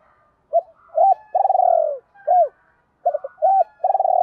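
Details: Spotted dove 'gáy gọi' lure cooing aimed at wild doves: brief arched coos around a long vibrating purr that fades downward, then a fast cluster of short coos and another rolling note.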